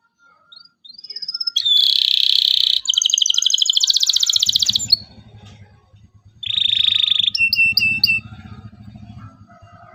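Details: Excited 'cuit cuit' song of a local canary, meant to teach young canaries to sing: a rising thin whistle into a dense buzzy trill, a fast rolling trill, a pause, then another buzzy burst and clipped chirps, with soft low thumping.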